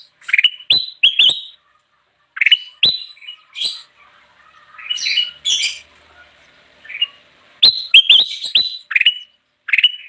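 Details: Ruby-throated bulbul singing lustily to lure wild birds: short groups of clicking, rising whistled notes repeated over ten seconds, with scratchy chatter in the middle and gaps of silence.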